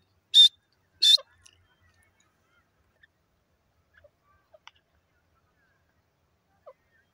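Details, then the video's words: Grey francolin calling in the wild: two loud, harsh, high notes about half a second apart, followed by near silence with a few faint soft clicks. "jungli teeter awaz gray francolin in ajungli"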